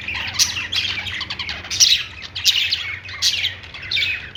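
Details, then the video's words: Fast budgie twittering, described as a happy sound, in close-packed bursts of squeaky chirps and scratchy notes that repeat rapidly and irregularly. "budgies birds noises | parakeet chirping sounds"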